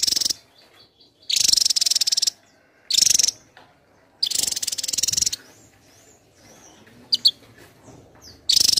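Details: Javan tesia in full, dense song for a contest-style tutor recording: loud, very high, rapid pulsed trills about a second long, repeated four times with short pauses and a few faint high notes between.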